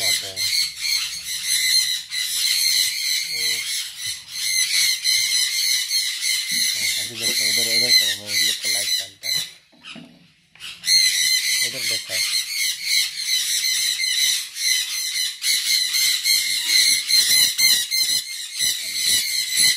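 A sun conure screeches loudly and harshly, again and again, with a brief pause midway.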